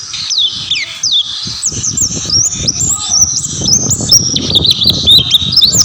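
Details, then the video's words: Oriental white-eye in continuous song: quick, high whistled phrases with sharp slurs and jumps in pitch, over a background of rustling. "burung pleci gacor"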